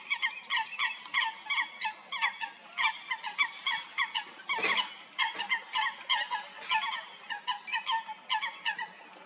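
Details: Several Eurasian coots fighting at Stodmarsh, Kent, UK: loud, abrupt harmonic notes in a rapid, uneven stream, about a hundred a minute, with a brief splash-like burst near the middle.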